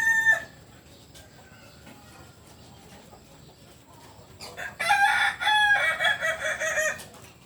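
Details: Kokok Balenggek rooster from Solok, West Sumatra: after a long quiet stretch a loud crow begins halfway, a run of stepped, pulsing harmonic notes lasting about two and a half seconds.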